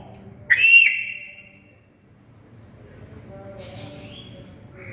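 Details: Black-capped lory call, very loud: one abrupt harsh whistled screech rising sharply and trailing off, followed by quiet background with a faint distant chirp.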